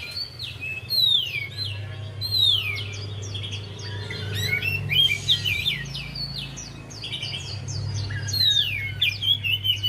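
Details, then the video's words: Singing Javan white-eye, used to prompt a quiet bird to start singing: long lively stream of high slurred whistles, rising and falling notes and quick twitters, with a low steady hum underneath. "Buat Pancingan Untuk Poci Yg Malas Bunyi"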